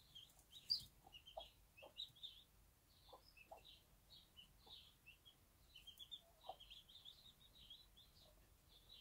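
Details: Bantam hen on a backyard farm with one-day-old chicks: soft, scattered low clucks in small bursts, mostly masked by a near-continuous chorus of high, sharp chick peeps, with a quiet background.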